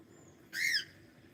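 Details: A pet cockatiel gives a single short, loud call, rising then falling in an arched, rich-toned note lasting about a third of a second, against a quiet indoor background with a faint thin whistle just before.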